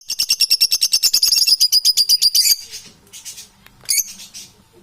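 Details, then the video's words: Parrots calling: a loud, rapid run of high, pulsed chirps, about eight per second for two and a half seconds, then a pause and a few softer scattered chirps with one sharp high note near the end. "Beautiful sounds, parrots are."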